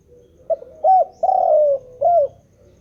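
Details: Spotted dove singing continuously: a short soft introductory note, then two rounded coos, a longer sustained falling coo and a final coo, all low and mellow.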